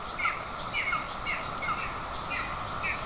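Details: Estonian golden eagle family, 20 June 2024: father with a bird, mother feeding an aggressive chick. Short, harsh downslurred calls come roughly every half second over a constant mechanical-sounding hiss.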